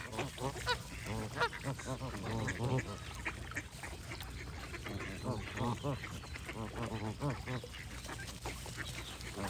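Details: Many geese honk almost continuously, with dense, nasal, arched calls tumbling over one another at a fast, irregular rate above a low background drone.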